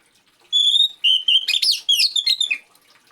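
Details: Oriental magpie-robin singing in the afternoon, used to prompt other magpie-robins to sing: a sweet whistled phrase near the start, then a rapid run of varied chirps, trills and slurred notes for about two seconds, with a faint background hiss.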